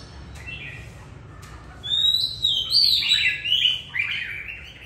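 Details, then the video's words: Old wild-caught caged white-rumped shama singing while sunning after a bath on an afternoon in Vietnam: a quiet start, then loud rich phrases of varied warbled and whistled notes, rising and falling, in bursts over the last three seconds. "choè bổi già hót sổng"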